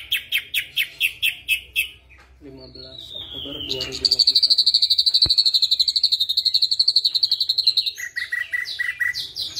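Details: Lively white-eyed ashy drongo copying a flycatcher: a row of sharp repeated notes, a descending drawn-out slur, then a long fast buzzing trill lasting about four seconds before varied chirps return.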